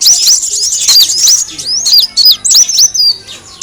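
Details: Van Hasselt's sunbird lure recording, also called kolibri daun, used to attract birds: rapid high thin chirps with sharp rising and falling sweeps, clustered in quick bursts with brief pauses between.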